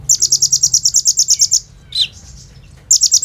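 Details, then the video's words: Lively kolibri ninja sunbird song with 'bren rambatan AK-47' fill, captured on a phone as a lure for other birds: a fast high-pitched rattling trill, then one sharp descending chip, a pause, and the trill starting again. "SUARA BURUNG KOLIBRI NINJA GACOR FULL ISIAN BREN RAMBATAN AK-47 !! COCOK BUAT PANCINGAN KONIN BAHAN"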